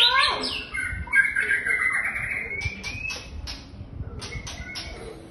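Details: White-rumped shama singing: a dense, rich burst of fast high whistled and scratchy notes at the start, then a long rising whistle and scattered sharp clicks over a low background hum.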